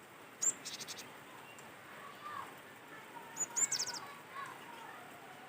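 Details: Cinereous tit natural song meant to lure other birds into singing: two brief bursts of high, sharp stuttering notes about three seconds apart, with faint lower chatter in the background.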